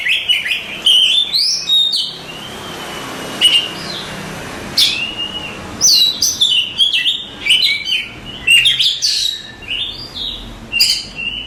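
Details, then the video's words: Oriental magpie-robin that won song contests, kept as a master bird, alternating clear upslurred whistles and quick chattering chips, with short quiet gaps between bursts. "Suara Kicauan Burung Kacer Juara Kontes Cocok Buat Masteran"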